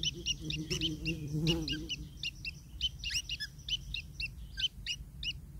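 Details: Long-tailed shrike chicks calling to a feeding parent: quick raspy chirps repeated throughout, with a brief low droning sound in the first two seconds.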